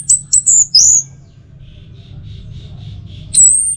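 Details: Orange-headed thrush from Singaraja, Bali, sings as a training lure for the teler song. A few piercing high whistled notes open, faint soft notes follow, and a long high whistle closes over a low rumble.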